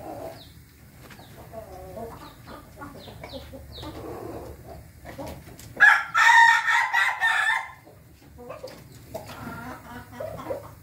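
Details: An Ayam Ketawa rooster, recorded 20 May 2024, gives one loud crow of choppy, stuttering pulses lasting about two seconds; softer clucks and low hen chatter come before and after.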